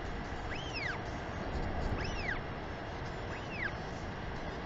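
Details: Greeting sky call of a female Northern royal albatross to her chick, New Zealand colony, 28 March 2021 in the afternoon, before she feeds it. Three bright arched whistles, roughly one per 1.4 seconds, over a steady wind hiss.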